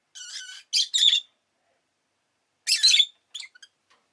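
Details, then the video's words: Shrill, buzzy chirps from a pet rosy-faced lovebird, three tight bursts close together, a silence, then a louder burst trailing into small ticking notes. "Lovebird Chirping Sounds"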